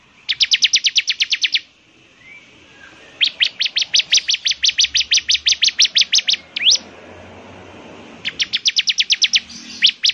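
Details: Bar-winged prinia, a lively singing ciblek semi whose distinctive voice prompts other ciblek semi to join in; rapid, evenly repeated high buzzy notes in three bursts, separated by short pauses and one upswept note.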